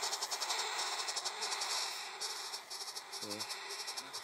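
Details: Woodpecker chicks, six small nestlings inside a nest in a mimosa tree at Centro Rogate Hills, Morlupo near Rome, Italy. They give a continuous raspy, buzzy chorus that pulses rapidly throughout, with a brief low voice near the end.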